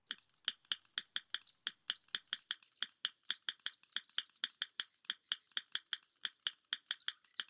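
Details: Yellow rail (Coturnicops noveboracensis) in a Maine marsh giving its five-note tapping call: dry, stony ticks in a steady run of twos and threes, like two pebbles knocked together.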